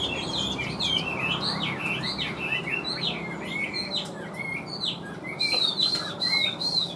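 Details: Caged Chinese hwamei with yellow bill and legs, singing and flicking its tail: fluid chain of rising and falling whistles, ending in higher, sharper notes.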